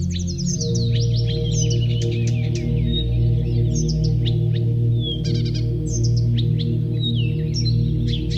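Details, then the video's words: Morning birdsong heard on a sunlit walk: busy runs of sharp high twitters and slurred whistles, with scattered chirps and brief trills throughout, all over a constant low ambient music drone. "birds singing"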